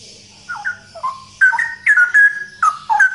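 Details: Male straw-headed bulbul singing loudly in the ropel style; after a quiet start come bursts of rich, liquid whistled phrases that slide up and down, about 79 per minute with short gaps.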